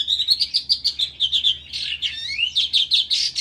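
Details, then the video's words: Eurasian skylark singing in a ravine pours out a fast, continuous stream of high, twittering and trilled notes, about five or six chirps a second, with no pauses. "Джурбай ,песня жаворонка"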